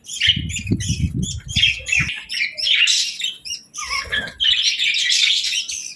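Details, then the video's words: Several budgerigars at evening feeding time with seeds and millet, chirping busily: dense overlapping warbles and squawky notes mostly high, with low thumping or rustling sounds through the first two seconds. "Budgies Evening Fun 🕊️🌿 | Chirping Sounds & Feeding Time Delight 🐦"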